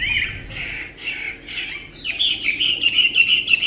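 A Chinese hwamei opens with a quick run of rough, chattering notes, then breaks into loud, clear whistled phrases that rise and fall.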